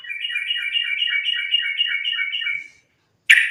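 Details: Rapid even trill of a sooty-headed bulbul in continuous fighting song, used as a lure for other bulbuls, running about two and a half seconds before a sharp note breaks in.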